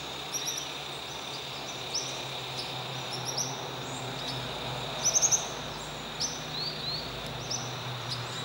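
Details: Plumbeous euphonia at Tunnels, San Martín, gives short thin high chips and brief upslurred notes at irregular intervals, over a steady high insect drone.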